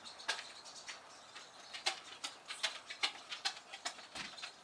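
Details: Pine siskins on Hammond Bay Road, Nanaimo, British Columbia, give short, high, scratchy chips in quick uneven bursts, more than two a second, with a soft rustling patter underneath.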